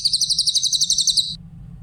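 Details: Cililin, the grey-headed canary-flycatcher, singing clearly in a training recording for songbirds: one quick run of shrill, evenly spaced high notes, about fifteen in just over a second, ending abruptly, with a soft low hum behind.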